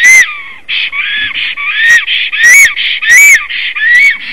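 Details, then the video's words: Latvian black stork singing a long song just after arriving at the nest, mid-afternoon on 17 April 2019: continuous run of rasping, whistled phrases with rising and falling tones, punctuated by loud harsh bursts about every half second to second. "Kaupo has arrived, sings a long song"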